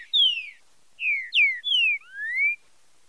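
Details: Green-winged saltator marcheado song for training: a close, continuous series of long whistled notes sliding downward, ending with one softer note that rises, all within three seconds.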